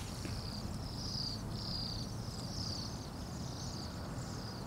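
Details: Bohemian waxwings in a flock of some 200 to 300 birds in Anchorage at minus 8 degrees Fahrenheit: high thin buzzy trills repeating in overlapping bursts, over a heavy low rumble of city traffic.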